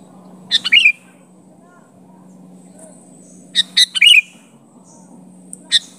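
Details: A sooty-headed bulbul calls at a rival with two spaced bubbly phrases of clicks and a rising warbled note, three seconds apart, plus a few faint chips over a low steady hum.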